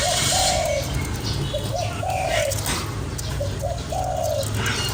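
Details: Spotted dove cooing, used to stimulate a lure bird: soft low coos in repeated groups of short notes ending in a longer drawn coo, almost buried under loud broadband hiss and rumble.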